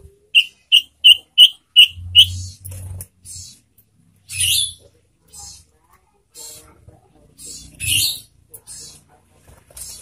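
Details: Sunda bush warbler (sirtu), a kept cage bird, gives a run of five short, evenly spaced high whistled notes at about three per second, followed by scattered hissing, rustling bursts and low thumps.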